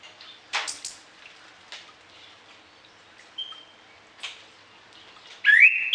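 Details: Orange-headed thrush in full song with varied fill-in notes, a song for training other birds in the morning and evening: scattered sharp chips and a thin steady whistle, then a loud, clear whistled phrase at the end.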